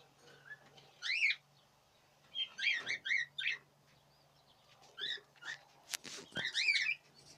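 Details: Budgerigars in the 2017 breeding season give short bursts of bright, chattering chirps in clusters. Quiet pauses separate the bursts, and a steady low hum runs underneath.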